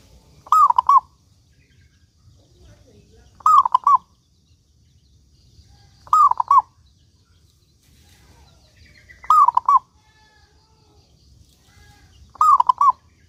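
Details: Local zebra dove in full song, five short rolling cooing phrases spaced roughly three seconds apart over a quiet background.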